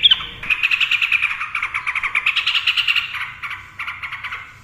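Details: Yellow-vented bulbul in long rapid 'ropel' trilling, meant to provoke silent birds: one sustained, rattling, buzzy trill of evenly spaced pulses lasting about three seconds, then a shorter burst.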